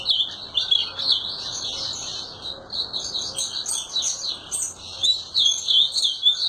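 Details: Ultramarine grosbeak (azulão) delivering lively, rambling song, quick high twittering phrases with sharp upward flicks, steady and continuous throughout.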